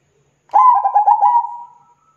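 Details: Single zebra dove song phrase: a bright start, then a quick string of five soft, rounded coo pulses blending into a long, smooth, fading tone.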